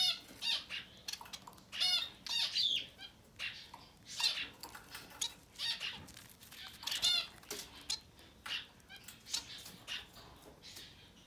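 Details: Society finch babies in their first ten days give a steady stream of scratchy, buzzy, high cheeps. The short bursts follow closely one after another for the whole stretch, with brief quieter gaps between the clusters.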